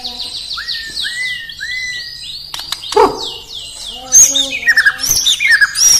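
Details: White-rumped shama (murai batu) singing in the morning in Indonesia: a run of quick descending high whistles over short rising notes, then a varied burst of sharp chirps and slurred phrases.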